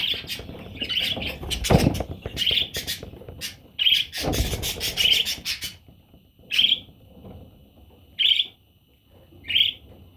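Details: Parrot chicks calling: a run of short rasping chirps, then loud knocks and rustling, followed by single squawky chirps spaced about every one to two seconds with quiet between.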